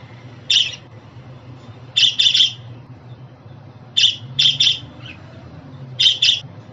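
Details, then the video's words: Budgerigar calling, meant to make a pet budgie happy and help a newly arrived or young bird get used to its home: brief high chirps in clusters of one to three, separated by pauses of about two seconds, with a quiet low hum behind. "Muhabbet Kuşu Sesi, Kuş Sesi! Muhabbet kuşu ötüşü, muhabbet kuşu çağırma sesleri!"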